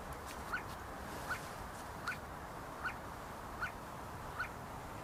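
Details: See-see partridges in a group, feeding and fighting at the University of Sulaimani in Kurdistan. Six short, faint clipped notes repeat steadily about every 0.8 seconds over a constant low background hiss.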